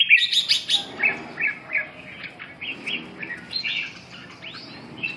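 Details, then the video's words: Red-whiskered bulbul song: a quick burst of sharp high chirps opening the passage, then varied short whistled and warbled notes, rising and falling, loosely repeated about two to three times per second. "Kênh về chim Chào mào"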